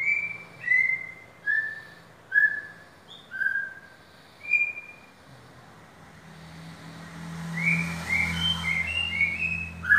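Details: Caged white-rumped shama offered for sale, singing a series of clear whistled notes sliding downward, each about a second apart, then a faster run of rising and falling whistles against a low hum.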